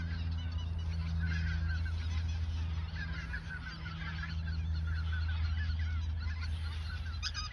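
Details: Geese in the Ochsenmoor nature reserve in autumn 2022, a few days before migrating south; a chorus of overlapping honking calls sits beneath a loud, steady low rumble that dominates the recording.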